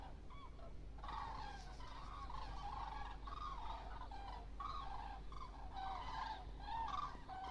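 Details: Huge flock of common cranes migrating south in October: many overlapping distant trumpeting calls blend into a continuous chorus, with low rumbling background and faint music.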